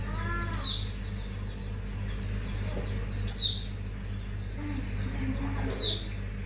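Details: Mangrove whistler, lure recording of its full repertoire: three clear, high down-slurred whistles about two and a half seconds apart, with faint lower notes between and a constant low hum.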